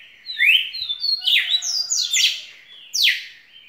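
A red-cowled cardinal sings a lively run of clear, slurred whistles, mostly rising sweeps and bright chirps packed closely together, with no other sounds.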